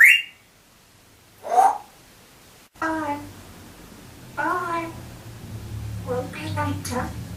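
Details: An African grey parrot, which loves to sing and whistle this tune, gives a high whistle, then bursts of voice-like, wavering phrases singing "I Do Like To Be Beside The Seaside", with a faint room hum behind.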